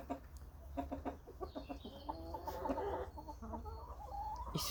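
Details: On a warm, sunny April morning in Ukraine, a rooster gives a drawn-out, wavering crow after a few short clucks from free-ranging hens, with a man talking in the background.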